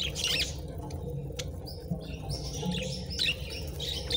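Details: Several pet budgerigars nibbling on treats; short scratchy chirps come in two bursts, one at the start and another after a pause, over a steady low rumble.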